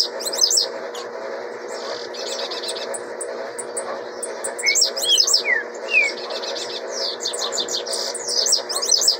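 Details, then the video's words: Blue-black grassquit chick, its song rate put at 26 per minute, delivering repeated high, thin, buzzy bursts and trills with a few lower swept whistles in the middle, over steady low background hum. "Tiziu filhote 26 canto por minuto"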